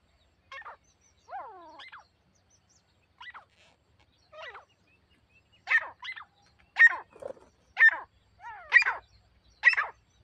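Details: Grey partridge calling while a captive female decoy lures a wild bird: a series of harsh calls, some with downward-sliding tones, roughly once a second and growing louder toward the end, in an otherwise quiet setting.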